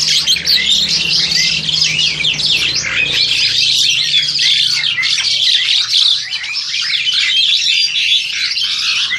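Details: Young farm-bred Crested Myna, aged roughly seven to eight months, in Indonesia, taped with an aging Samsung Grand2 phone: nonstop scratchy chatter and jumbled squeaks, with a low hum underneath during the first half.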